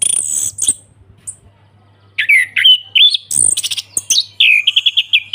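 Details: Orange-headed thrush singing ngeplong style: high sustained squeals, then a lively string of warbled whistles and fast repeated chirps, about three notes a second, over a low hum.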